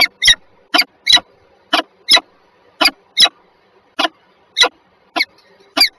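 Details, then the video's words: Early morning, 7:47 on 14 February 2023, at Żerań in Warsaw, Poland: two peregrine falcons utter about thirteen coarse, rasping notes in six seconds, often in quick pairs, with a faint hum underneath. "sokoły wędrowne"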